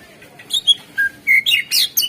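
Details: Greater green leafbird, used as a lure song to get other birds singing: short whistled notes and slurred chirps around mid-high pitch, a clear pure note at about 1.3 seconds, then a burst of sharp bright phrases.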